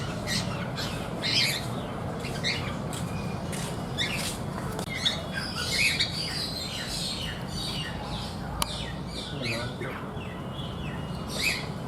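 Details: Cockatiel giving harsh, squawky chirps in short repeated bursts over a steady low background hum.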